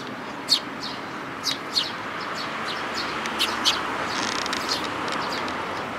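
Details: Eurasian tree sparrows with chicks, recorded 13 May 2018: a few short, bright, high chirps scattered over a steady background hiss, the sharpest at about half a second and again near the middle.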